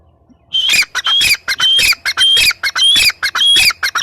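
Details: Loud teetar, the grey francolin, breaking into an insistent string of grating, high-pitched notes roughly every half second, harsh and ringing, with no other sounds competing.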